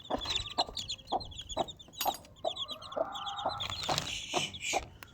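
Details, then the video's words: Desi mother hen accompanied by four chicks: regular soft clucks every half second, bright high chick chirping in bursts, and a brief rising whine and rustling toward the end. "Desi Chicken 1 Mother Chicken 4 Baby Chicks"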